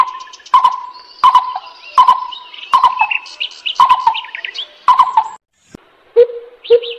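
Lesser coucal giving hollow, mid-pitched hoots, about one every 0.7 seconds, then two lower notes; sharp clicks and thin chirps of other birds are mixed in.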